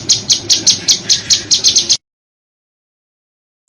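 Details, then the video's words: Contest-bird training recording of harsh, sharp, rapidly repeated shrieks: about ten high piercing notes in two seconds, then silence, with a last burst at the end. Faint low rumble sits underneath. "Masteran Burung Lomba JERITAN RAPAT DAN KASAR FULL TEMBAKAN TAJAM"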